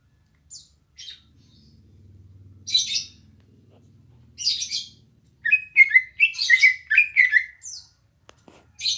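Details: {'caption': 'Green leafbird song at a house, with isolated high buzzy chips at first, then a cluster of loud, fast, warbled whistles and trills, over a faint low hum.'}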